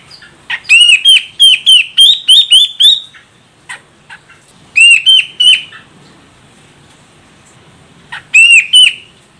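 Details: Female grey-cheeked bulbul from Medan, Sumatra, calling to provoke a male into singing: bursts of sharp, bright chattering notes with rising-falling inflections, several quick notes in each burst, with pauses between bursts.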